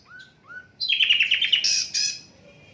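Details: Asian brown flycatcher, unedited, for songbird training: two soft low whistles, then a loud rapid trill of chirps and harsh buzzy notes.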